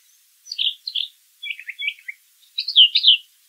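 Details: A brown thrasher in nature sings short phrases, each repeated: paired high slurred notes, then a pair of lower chirps, then a louder doubled warble.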